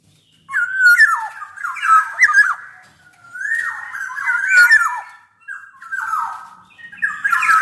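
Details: Black-naped oriole song, played as a tutor and lure recording. Three rich, fluty, warbled phrases wander up and down, separated by short pauses. Faint clicks are also heard.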